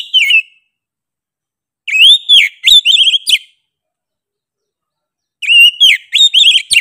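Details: Oriental magpie-robin (kacer) delivering loud whistled song in separate bursts, arched clear notes followed by quick stuttering repeats, roughly three per second, with seconds of silence in between.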